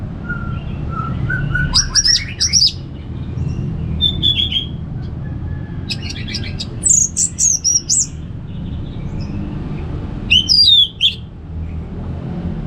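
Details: Caged orange-headed thrush in northern Bali giving separated bursts of song: crisp high chirps and buzzy trills, then a sharp descending whistle, with pauses of a few seconds between phrases over a low indoor hum.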